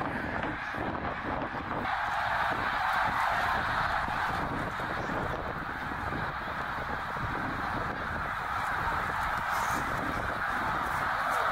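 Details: Snow geese by the tens of thousands migrating north through Middle Creek, Pennsylvania, 2023; an unbroken chorus of overlapping honks, dense and even throughout, swelling a little around the middle and rising again near the end.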